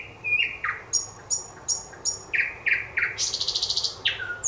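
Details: Song of a thrush nightingale, 25 May 2021: high thin whistles alternate with lower, harder chock notes in an uneven series, ending in a fast buzzing trill and a falling whistle.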